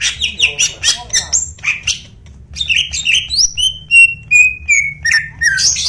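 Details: Greater green leafbird with a harsh, persistent voice: a burst of rasping, squawky chatter, a short lull, then a sequence of clear whistles sliding downward, ending in high squeaky notes. A low hum continues throughout.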